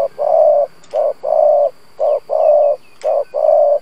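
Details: Spotted dove lure bird in 'gù' cooing style, used to provoke wild doves: low hollow coos in paired short-then-long phrases, repeated steadily about once a second with no pauses.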